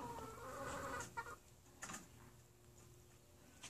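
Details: Chickens clucking: a run of low, harmonic, nasal clucks in the first second, then a short sharp cluck and a brief higher note, with quiet background hum.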